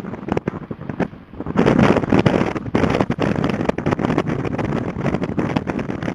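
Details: Heavy gusting wind buffets the microphone with scattered knocks and rumbles near the Port Lincoln coast in Australia; no animal calls stand out.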